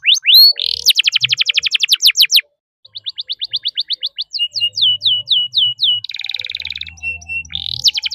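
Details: Canary in full song, meant to teach and prompt other canaries: fast runs of sharp downward-sweeping notes, a brief break, then slower spaced chirps, a buzzy rattle and a final rising flourish.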